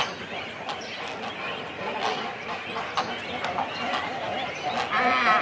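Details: Cormorant chicks and adults calling on the nest in a colony, recorded close up: a dense, continuous chatter of harsh, rasping calls overlapping one another, with sharp clicks and no gap in the din.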